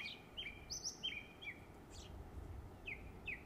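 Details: Summer song of a song thrush recorded in West Cornwall, England: short, bright whistled phrases and a few thin high notes, spaced irregularly, with low rumbling background noise.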